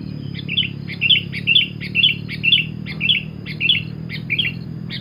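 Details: Lure song of a sooty-headed bulbul, energetic cemgkram style: evenly spaced, short, sharp chirps, about two per second, each a quick slurred note, over a faint low hum.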